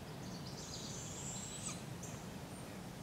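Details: Young barred owls being fed and learning to hunt at a local park in Polk County, Iowa, July 6, 2017; one drawn-out, airy screech rising in pitch, followed by a faint short rasp, with steady low background hum.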